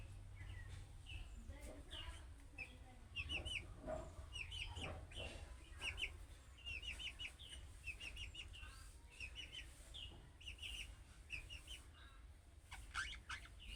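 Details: Young budgerigars chatter in calling-style chirps that prompt other budgerigars to reply; dense, busy twittering with many quick paired high notes throughout, some scratchy clicks, and low hum beneath.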